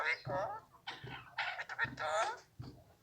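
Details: Alexandrine parakeet talking, raw untrained-sounding mimicry in Urdu, Hindi or Arabic: several short speech-like bursts of harmonic, voice-like syllables with shifting pitch, separated by brief pauses.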